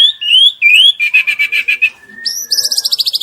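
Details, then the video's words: White-rumped shama, a young bird, singing upslurred whistles, then a pulsing series of buzzy notes, then a rising whistle into a fast high trill. "Murai batu trotol Gacor"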